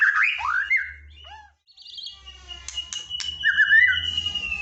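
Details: Training song of white-rumped shama for a bird that sings little: loud descending whistles open, then a pause, followed by a long steady whistled note and clicking trills, over a faint low hum.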